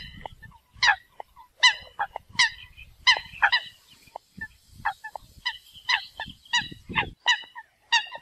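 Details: Eurasian coots calling to the flock give loud, nasal, honking 'kowk' notes, about fourteen in eight seconds at an uneven pace, over a faint low rumble.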